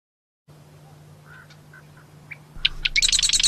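Marsh wren song: a few soft introductory notes, then a loud, fast, buzzy rattle of high notes. A steady low hum runs beneath.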